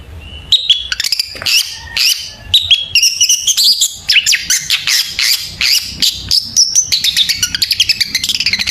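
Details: Dense, continuous long-tailed shrike song used as a lure to get birds singing: a rapid stream of chattering, buzzy and whistled notes that grows faster and more clipped toward the end.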